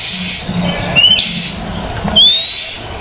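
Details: Oriental magpie-robin in a recording meant to make silent magpie-robins start singing: two long, clear whistles, each rising slightly, about a second apart, with bursts of hissing noise between them.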